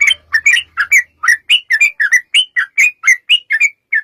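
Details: Sooty-headed bulbul 'ropel' fighting song as a lure for other bulbuls: a steady string of short, liquid, up-and-down slurred notes, about three to four per second, with a faint low hum early on.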